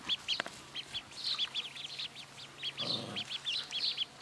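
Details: Two-day-old White Crested domestic ducklings give a rapid stream of high, thin peeps, several overlapping, with a couple of brief soft bumps and a short rustle.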